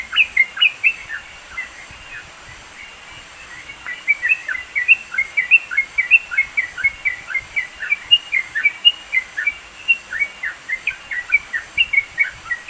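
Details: In the East Java mountains of Indonesia a Sooty-headed bulbul sings for songbird training: an opening flurry of chirps, a pause of about two seconds, then long sustained chattering of short up- and down-slurred notes, soft high hiss throughout.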